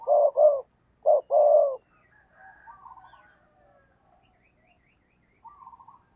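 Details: Caged decoy spotted dove cooing to lure and provoke wild doves: a loud pair of low, hollow coos, a short pause, then two more, followed by faint chirps and twitters from other birds.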